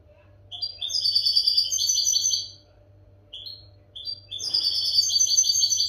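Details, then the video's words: Captive-training song of the European goldfinch: a quick high twittering phrase of bright, jingling notes, a short pause with two lone chirps, then another lively tinkling burst running to the end. "audio pará educar a los jilgueros sin errores |كيفية تعليم طيور الحسون نظيفة بدون عيوب"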